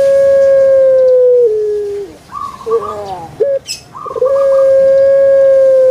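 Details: Kept puter pelung dove from Java, Indonesia: a long steady low whistled note that drops in pitch, then rough broken gurgling notes, and another long held tone closing the phrase.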